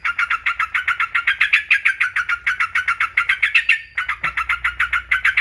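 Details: Rapid run of sharp, bright yellow-vented bulbul notes, nearly four per second, briefly pausing before resuming. The recording serves as a tutor and stimulating trigger for caged songbirds.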